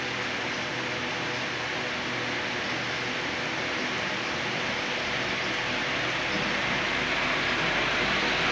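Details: Even, continuous rushing noise, like white noise from a machine, runs throughout with no animal calls.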